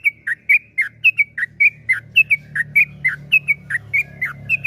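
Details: Yellow-vented bulbul giving its long-rolling 'ropel panjang' song as a lure for other bulbuls: liquid whistled notes that alternate between higher and lower pitches in a steady, bouncing series over a faint low rumble.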